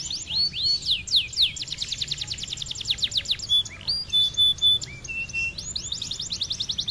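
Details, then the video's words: Lively canary song meant for training contest songbirds: fast volleys of falling whistles, some looping arcs, then clear level tones and renewed rapid runs of notes. "Kenari gacor"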